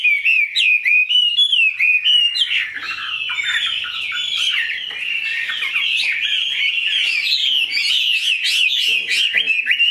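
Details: Tame, large-bodied Chinese hwamei noted for a very fine voice, singing a rich, fast run of loud whistled and warbled phrases that slide up and down, with quick chirps packed densely throughout.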